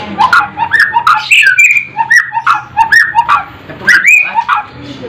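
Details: White-rumped shama song with a sharp tone, used as a training recording for competition songbirds; a dense, nearly continuous stream of loud, varied whistled notes, rising and falling slurs with short buzzy elements, separated by very brief pauses.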